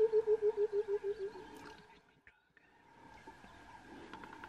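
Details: Burchell's coucal giving its call: a low, hollow bubbling run of about nine even hooting notes, slightly descending, over roughly a second and a half. Quiet outdoor background hiss and a faint distant chirp follow.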